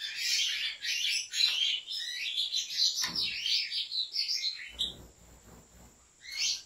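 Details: European goldfinch from a Turkish breeder sings a dense, rapid twittering song of tinkling, buzzy notes that runs for about five seconds, then breaks off amid low thumps before a final short burst. A faint steady high whine persists.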